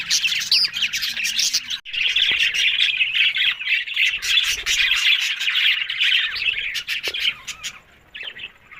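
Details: A group of budgerigars, recorded October 1, give a steady stream of scratchy squawks and chirps. The chatter thickens after a brief gap near the start, then thins and quietens toward the end.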